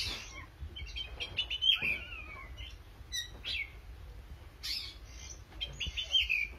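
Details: Oriental magpie-robin in full song: a varied run of bright, high whistles, rapid buzzy chips and short slurred notes coming in separate bursts, with a steady low hum beneath.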